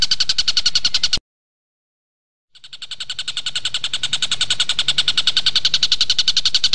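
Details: Energetic tengkek buto, the Javan kingfisher, used as tutor song for captive magpie-robins: rapid, evenly spaced shrill chattering notes, broken by a short silence, then resuming quietly and swelling back to full strength at the same quick pace.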